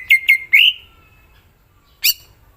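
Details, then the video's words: Greater green leafbird giving two short whistled notes and then a longer fluty slur that trails away, followed after a pause by a single sharp, harsh chirp. "Cucak ijo mana Saja akan ikutan bunyi dan gacor dengar c ijo ini bongkar isian full"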